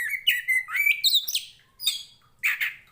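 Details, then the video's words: Oriental magpie-robin, a caged contest bird of the Tretes teapot type, singing loudly as a fighter to train similar birds: whistled phrases near the middle pitch, sweeping up into sharper high notes, then short bursts after brief pauses. "SUARANYA BIKIN POCI KACER MANAPUN EMOSI Kacer teapot bird(Copsychus saularis)"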